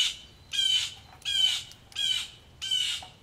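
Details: Several agitated blue jays calling loudly during rain at a farmhouse front porch in Missouri: four harsh, raspy squawks, each about a third of a second long, repeated at a steady rate of roughly one every 0.65 seconds.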